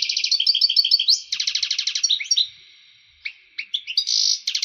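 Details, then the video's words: Male European goldfinch in full breeding excitement, used to stimulate females for mating. Fast liquid twittering runs of high notes, a rapid burst near the start, then scattered chirps and a short buzzy rasp before more trills. "هيجان حسون في قمة الجهوزية لتحفيز على تلقيح وتجهيز إنات الحسون لتزاوج"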